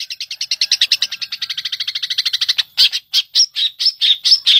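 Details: Long-tailed shrike, cendet, recorded by Indonesian hobbyists as song material for training other songbirds; a fast even rattle of about thirty buzzy notes, then slower harsh, sharply rising chirps.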